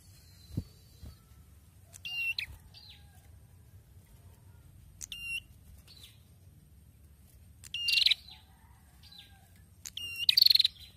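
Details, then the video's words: Prinia known locally as prenjak kepala merah, singing strongly again after its moult: sharp, high whistled notes with bright overtones, each about half a second long, arriving in separated bursts every two to three seconds over a quiet low hum. "PRENJAK KEPALA MERAH SUDAH MULAI GACOR LAGI SETELAH MABUNG"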